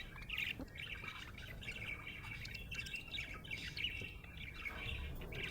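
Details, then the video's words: Happy budgerigar chirping in a continuous warbling chatter of rapid, squeaky notes that rise and fall without pause, over a steady low hum. "Happy budgie chirping sound"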